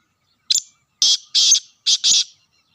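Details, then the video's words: Kala teetar, the black francolin, in Sindh, Pakistan, giving a rasping call: one short clipped note, then two longer harsh bursts and a closing double burst, with silence between phrases. "Kala Teeter sindh Pakistan"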